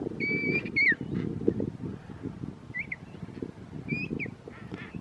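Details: A king penguin chick being fed at Parque Pinguino Rey gives clear, high whistled notes that rise and fall, in short bursts every second or so, over a steady rumble of wind and colony noise.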